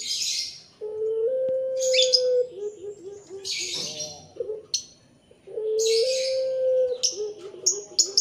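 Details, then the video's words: Young Barbary doves of the puter pelung type, lively after feeding. Drawn-out level coos, each ending in a few short dipping notes, come twice. Harsh high chirping from other small birds bursts in between. "bikin rame sudah pada kenyang anakan puter pelung"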